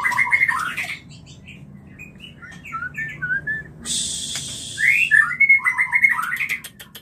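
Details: White-rumped shama song used to prompt mating: warbled whistles, soft scattered notes, a brief hiss of noise, then a loud burst of fluid rising and falling whistles over a faint hum.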